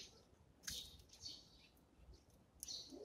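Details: A Eurasian tree sparrow at morning feeding lets out a loud, sharp chirp, followed by softer twitters and another bright chirp near the end.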